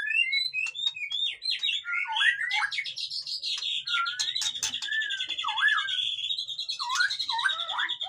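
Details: White-rumped shama (murai batu) in lively song, used to rouse lazy birds: looping, swooping whistles woven with a long high buzzy trill that runs almost throughout, continuous and dense.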